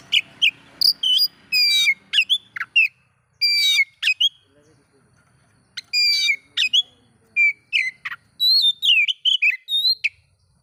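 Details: Singing oriental magpie-robin, its song meant to provoke rival magpie-robins: loud, varied whistled phrases, rapid trills, sharp downslurred notes and sweet rising whistles in quick bursts, with brief pauses and a quiet low hum underneath.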